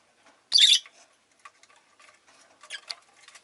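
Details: One loud, rasping shriek from a pet rosy-faced lovebird, followed by soft scratchy chatter and light tapping sounds.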